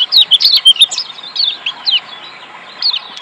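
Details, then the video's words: Lombok white-eye giving a quick, high twittering song of thin chirps and short slurred notes, about two per second, with brief pauses. "Kecial kuning malas Bunyi jadi gacor"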